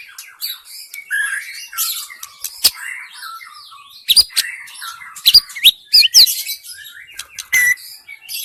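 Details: Wild forest white-rumped shama used as a lure to attract other shamas: a rich, varied song of high whistled phrases, rising slurs and sharp clicks, with bursts and pauses across the stretch.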